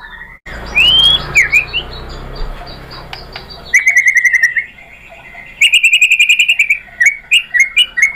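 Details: White-rumped shama song meant to provoke other birds into answering and singing, with loud filler material: upslurred whistles over a low steady hum, a pause, then bursts of fast clipped repeated notes and short sharp whistles.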